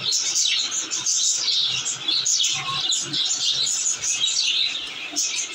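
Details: Happy pet budgies with babies produce steady overlapping chatter: rapid high chirps, scratchy warbling and short tweets from multiple birds, with soft pattering noises underneath.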